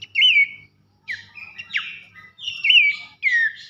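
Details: Horsfield's babbler delivering loud drawn-out whistles, some curling up then falling, separated by short gaps, as a tutor song for competition songbirds.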